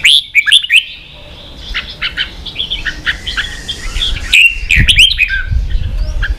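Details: Red-whiskered bulbul kept in Vietnam, singing aggressively against rivals: clear looping whistles and quick chirps in spaced clusters, a quieter stretch, then a loud dense flurry with low knocking sounds.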